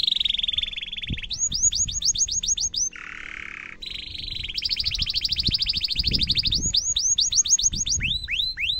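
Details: Long emotive canary song for young canaries to learn: a whistled tone, quick repeated chip series, a low buzzy churr, a rolling trill and upswept whistles, with soft knocks and background noise.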